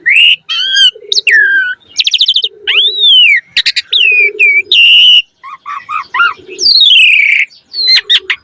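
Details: Black-collared starling (jalak suren) singing in full, lively song used as a lure to train other starlings: loud varied whistles, rising and falling slurred notes, harsh bursts and rapid stuttering phrases, with low throaty notes between.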